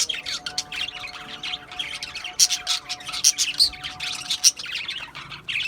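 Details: Budgerigars chirp in a busy, high chatter, with sharp, clicking accents standing out about once a second amid continuous warbling from several birds.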